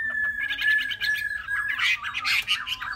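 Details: Three-month-old caged Chinese hwamei from Vietnam: a sustained level whistle overlaid with quick chattering notes, then louder harsh rasping bursts mixed with slurred whistles; faint hum throughout.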